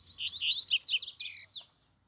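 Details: Caged double-collared seedeater held in hand beside a singing wild bird: a dense, continuous tumble of high, buzzy and whistled notes lasting under two seconds.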